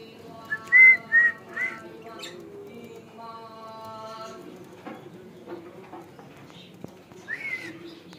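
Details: Hand-tamed cockatiels give a few loud, rising whistled calls, then softer chirps later.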